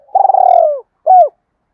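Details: Spotted dove used as a decoy in Đồng Nai, Vietnam, to lure wild birds: a long vibrating coo sliding downward, followed after a brief gap by one short, rounded, falling note. Quiet background.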